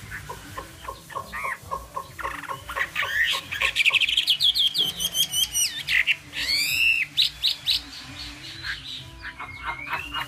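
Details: Chinese hwamei in full song: a fast chatter of short notes builds into loud, rich whistled and trilled phrases with sharp rising sweeps. The bird then pauses before a final slurred whistle. Low hum in the background.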